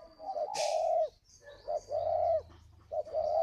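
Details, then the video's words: Calling coo of a caged spotted dove in Ba Vì, Hanoi, Vietnam: soft, low hooting notes run together in short phrases, one brief sharp click near the start, and a faint hum and distant whistle underneath. "Gáy gọi Hậu 1"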